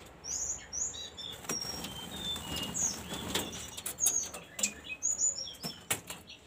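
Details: A jungle flycatcher during taming: short, high, thin whistled notes, scattered unevenly, over repeated wing flutters and sharp rattling clicks.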